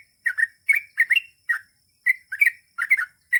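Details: Short passage of trucukan (Yellow-vented Bulbul) ropel song: quick liquid chirps and slurred warbles in uneven bursts, about nine notes in just over three seconds.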